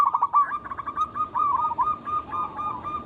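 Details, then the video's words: Local zebra dove lure song: a continuous stream of quick, slightly rising staccato notes forming a fluttering trill, steady throughout with soft background hiss. "Pancingan burung perkutut lokal alam gacor suara mengundang bunyi langsung emosi"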